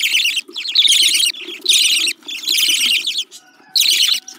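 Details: Baby budgerigars calling in loud, scratchy, buzzing bursts, each lasting about a second, separated by brief gaps, over a soft low background hum.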